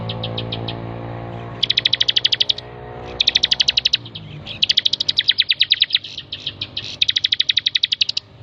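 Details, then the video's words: Bar-winged prinia, known locally as ciblek, in a master recording for training cage birds, singing rapid dry trills of sharp repeated notes in bursts with short pauses, over a low hum. "masteran 100% terbaik burung ciblek gacor"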